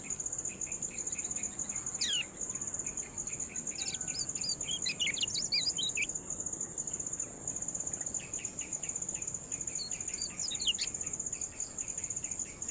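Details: Kecial kuning ciak calls, used to coax lazy birds into calling: bursts of quick, high chirps and sharp down-slurred notes, then rows of soft ticking notes, over a steady high hum and background noise.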